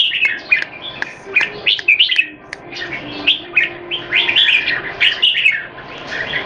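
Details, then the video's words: Red-whiskered bulbuls kept in cages in Singapore, several singing against one another, one bird in molt: lively clear whistled phrases, short up-and-down notes in rapid bursts with brief gaps, plus a faint low hum. "นกหัวจุก JAMBUL"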